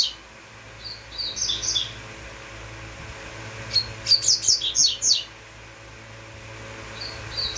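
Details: High whistled notes from a double-collared seedeater, followed by a lively string of about six sharp, quickly repeated chips, then a brief note near the end; a low hum continues.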